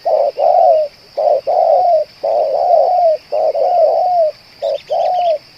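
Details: Spotted dove, a captive bird that keeps cooing for long spells, kept as a lure for trapping: low hoarse coo notes, some paired, some drawn out and falling at the end, repeated about once a second, with a steady faint high electrical whine.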